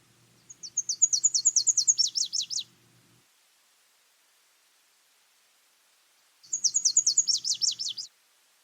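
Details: Nashville Warbler (Leiothlypis ruficapilla) singing twice: a high, rapid series of thin sweet notes speeding into a lower, faster trill, each song about two seconds long; one of several song variants.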